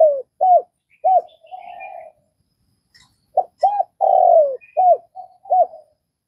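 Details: Vietnamese spotted dove repeating its cooing phrase twice: short arched hoots and a long hoarse falling coo, separated by about a second of quiet, with faint high twitters.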